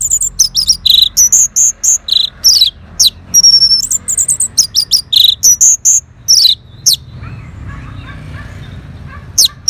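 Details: Orange-headed thrush singing back at a lure sound, a long, loud stream of varied high chirps, slurred whistles and steady pure notes in quick succession, fading into softer twitters before a final burst.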